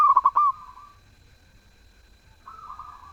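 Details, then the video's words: Zebra dove singing a melodious, vigorous phrase: a few quick stuttered coos running into a drawn-out cooing note, followed by a softer, lower-level cooing phrase near the end. "Perkutut gacor suara merdu"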